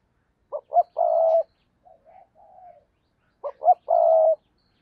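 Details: Spotted dove serving as a decoy to attract wild doves repeats a phrase of two short notes and a long even coo, with soft quiet murmurs in the gap between phrases.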